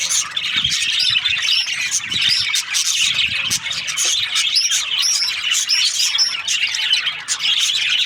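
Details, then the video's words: Parakeets (budgerigars) chirping in breeding season: many birds give bright, twittering chirps and quick rising squeaks in a constant, even chorus, with a few faint low knocks. "Lovely budgies chirping sound parakeets breeding season"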